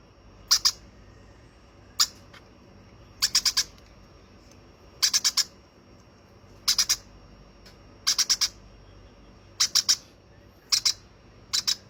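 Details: A young hand-fed baby conure gives harsh, raspy squawks in quick bursts of two to four notes, repeated every second or two over a quiet background.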